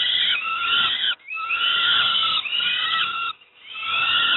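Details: Young peregrine falcons at Moszna near Pruszków, Poland, being fed breakfast: harsh, wheezy, drawn-out screams with raspy overtones, broken by two brief pauses.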